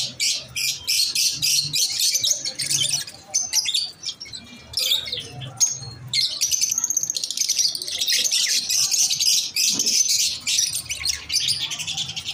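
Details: Masked lovebirds chirping: dense, shrill, buzzy chatter in rapid bursts, nearly continuous with short breaks around four and eight seconds, sounding like several birds calling together.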